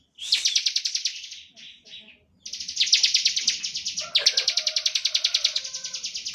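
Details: Ngebren-style song of a Bar-winged prinia, played to provoke other prinias to sing: a long, fast, rattling chip trill, briefly broken by a pause, then resuming steadily. Faint lower tonal notes sit beneath the later part.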